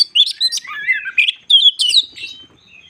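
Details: White-crowned shama in lure song to provoke rival birds: a string of bright whistled notes sliding up and down, fading out toward the end.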